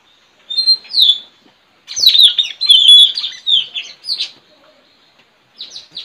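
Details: Trained decoy straw-headed bulbul singing in a village on 4 April 2021 to lure wild birds, in a song contest with a friend's bird: loud, rich, bubbling whistled phrases, rapid and slurred, in several bursts separated by short pauses.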